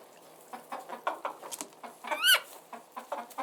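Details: Background chicken sounds: quiet scattered clucks and one loud, wavering, high squawk in the middle, followed by more soft clucking.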